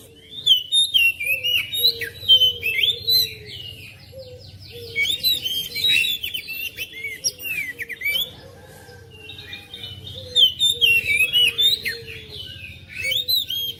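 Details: Oriental magpie-robin kept at home, song used to prompt a reluctant bird to sing along: rich varied whistled phrases and chattering notes in bursts, with low steady whistles running beneath and a faint hum.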